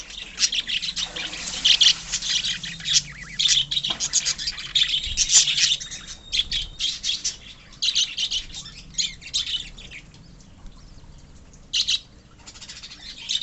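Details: Pet budgerigars in a colony chatter steadily: bursts of high, scratchy chirps and warbling notes come and go in waves, with quieter gaps and a brief drawn-out whistled note in the middle.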